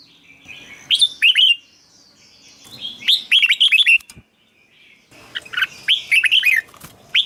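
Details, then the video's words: Caged-bird stimulation recording of a red-whiskered bulbul: three bubbly whistled phrases of four or five swooping notes each, separated by short gaps, over a light background hiss. "เสียงนกกรงหัวจุก สำหรับต่อ หรือ เปิดให้นกคึก เสียงเพราะๆ"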